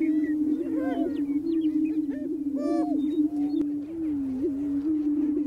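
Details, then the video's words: Male greater prairie chickens on their booming grounds during spring mating displays, North American prairie; a continuous deep booming hum with scattered rising whoops and short cackling notes above it. "Greater Prairie Chickens On their booming Grounds - Mating Displays"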